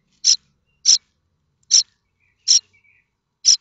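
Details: Common starling nestlings begging at Théding, France, in May 2024 as they await food from their parents. Five separate high, hoarse rasping calls spaced irregularly, with a faint thin whistle between two of them.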